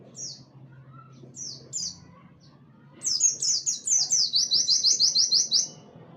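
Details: Warbling white-eye song in the "tembakan wit wit kenari" style, meant for tutoring other songbirds: a few scattered high, thin notes, then a loud rapid volley of bright chirps for nearly three seconds.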